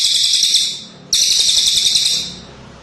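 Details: High, dense trilling from a cililin bird in two bursts separated by a short pause. The second burst is loud and rapid and fades gradually at its end.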